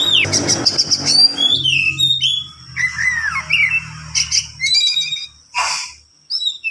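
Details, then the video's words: Kacer, or oriental magpie-robin, singing a long, unbroken tutor song for training other birds: a harsh, buzzy opening, then varied sliding whistles and chattering notes over a low background hum, with a short rasping burst near the end. "KACER NGEROL PANJANG UNTUK MASTERAN"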